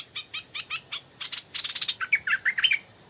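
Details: Stripe-throated bulbul in the evening, a wild bird coming to a decoy: spaced short notes quicken into a rapid trill and end in loud, bubbling, slurred warbles.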